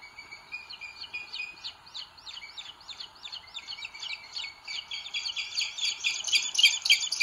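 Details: Booted eagle chicks at a nest in Sierra de Guadarrama, Spain, filmed by live webcam in 2022, as the bigger chick pecks the little one. They give thin, high, chittering begging notes, about three a second, growing louder over faint hiss.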